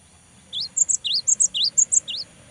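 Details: Cinereous tit singing a fast, repeated pattern: a rising slurred note followed by paired higher chirps, cycled about four times in quick succession.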